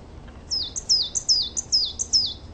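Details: Garden coal tit delivering a rapid series of high, thin, downslurred double notes, seven or so in quick even succession, clear against a quiet background.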